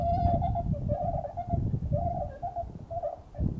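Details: Bewick's swans at Beuven on 18 December 2011 utter a few soft, bugling honks, some separated by short pauses, partly masked by strong low rumbling noise.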